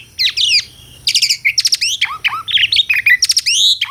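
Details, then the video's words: Asian pied starling (jalak suren) in captivity singing dense bursts of rapid clicking, chattering notes and downslurred whistles in quick succession. "SUARA KICAUAN BURUNG JALAK - JALAK SUREN GACOR MERDU SEKALI..!!"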